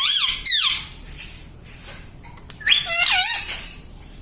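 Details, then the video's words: Pet parrot mimicking papa and mummy: two quick squeaky swooping syllables, a quiet gap with small clicks, then a longer string of wavering, voice-like notes. "पापा बोलता तोता || papa papa bolne vala parrot || parrot talking mummy papa"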